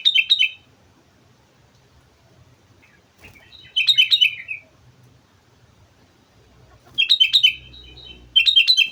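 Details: Mount Slamet sooty-headed bulbul singing hard: four bright, chortling phrases of quick descending whistles, spaced irregularly with quiet gaps and faint low rumble.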